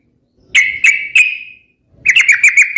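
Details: Sooty-headed bulbul singing, a recording meant as a lure and training song for other birds: three sharp ringing notes with a fading tail, a pause, then a quick series of bright chirps.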